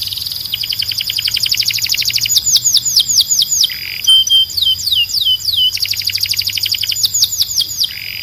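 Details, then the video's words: Canary singing in a loud, clear recording: rapid rattling trills alternate with runs of sweeping downslurred whistles and short rasping notes, repeated in two similar phrases. "Ultimate Canary Singing Compilation – Loud, Clear & Relaxing Sounds"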